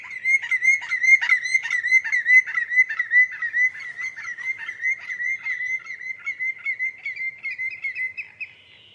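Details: Common greenshank producing a long unbroken string of ringing whistled notes, rapid and fairly even, lasting about nine seconds and gradually softening toward the end.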